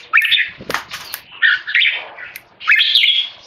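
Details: Keke calling from a tame male red-whiskered bulbul tested under human disturbance: three or four bright chattering bursts, some notes sweeping upward, with a few clicks in between.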